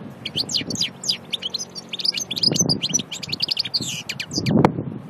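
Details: Goldfinch song from Aïn Barbar, Annaba: an unbroken run of rapid, high, chattering notes mixed with liquid twitters. Soft, low thumps and rumbles sit in the background.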